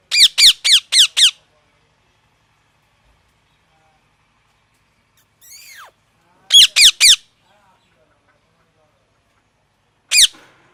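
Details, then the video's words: Loud parrot giving bursts of harsh, downward-sweeping squawks, five in quick succession, later three more, with a softer drawn call between and one final squawk. "Loud parrot sound"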